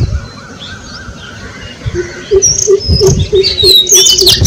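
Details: Greater coucal in a thicket giving a fast series of deep, hollow hoots, about three per second, starting halfway through. Thin, high chirps from other small birds sound above it over a soft, rustling background.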